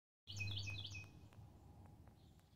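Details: A cardinal gives a quick burst of clear, slurred whistles, about five notes in under a second, then falls quiet over a low steady rumble, recorded on 4 February 2021.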